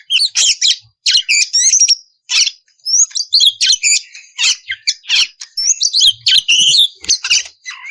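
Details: Female oriental magpie-robin in breeding condition calling the male. An eight-second torrent of harsh chattering, buzzy rasps and high whistled slurs in fast, tightly packed phrases with only a few brief pauses.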